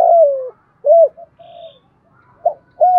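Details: Decoy spotted dove cooing to get wild doves to answer and come in to fight: deep, hollow coos, a long one first, then shorter rounded notes with brief gaps between them.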